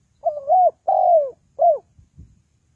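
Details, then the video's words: Spotted dove, used as a lure for trapping, giving a mellow three-part coo: two longer hoarse notes, then a shorter closing one. A few soft low thumps follow. "The Sound Of Spotted Dove is very good,Bẫy cu gáy bằng mồi trồn"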